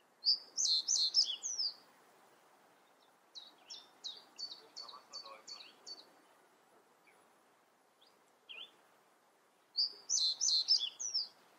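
Common reed bunting song: a short run of six or seven high, clipped notes, with busier, jingling high phrases before and after over a soft background hum.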